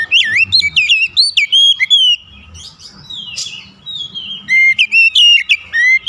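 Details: An oriental magpie-robin challenges its rival with rich, varied song full of fill-in phrases: looping whistles and chirps tumble quickly, a softer scratchy pause follows, then another fast burst of clear, sharp notes.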